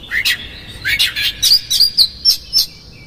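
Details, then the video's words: Oriental magpie-robin song meant to rouse another magpie-robin: a quick series of short, sharp whistled notes, about eight in three seconds, some falling, some clipped, with nothing else audible. "PANCINGAN Kacer GACOR seketika Buka Ekor KONSLET bongkar ISIAN KASAR agar KACER emosi"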